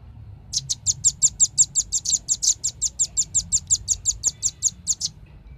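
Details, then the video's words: Velvet-fronted nuthatch lure recording meant to attract birds: a fast, even run of about two dozen sharp, high chipping notes, roughly five each second, lasting around four and a half seconds over a quiet background. "suara pikat burung rambatan ribut suara jernih paling ampuh"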